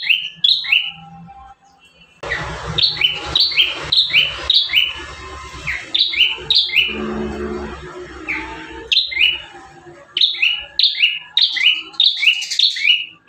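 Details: Bar-winged prinia singing constantly as a master recording for caged birds: long rapid series of high, buzzy, falling double notes, roughly two per second, over a steady background hiss, with brief pauses between runs.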